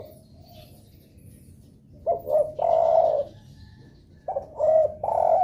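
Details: Spotted dove lure call, played so other doves answer and start calling: two phrases of soft low coos, each with short notes leading into a longer, fuller coo, over a quiet hissy background.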